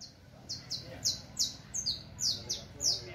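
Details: Saffron finch song for teaching: bright, high, downslurred chirps repeated about three times a second, each a quick falling sweep, steady and slightly uneven in rhythm.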